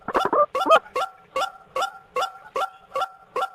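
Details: White-breasted waterhen lure call for trapping birds: a run of harsh, nasal two-tone notes repeated about every 0.4 seconds. Several rapid, overlapping croaks come first, then the calls settle into a steady rhythm.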